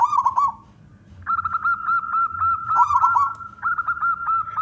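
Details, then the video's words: Male local wild zebra dove, used to get other doves singing, alternates rolling trilled coo phrases with fast runs of even, clipped coos, about four notes per second. "perkutut lokal gacor suara jantan"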